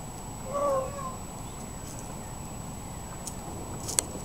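An Indian peafowl gives one brief, nasal, meow-like wail lasting under half a second, followed by low background rumble and a single sharp click.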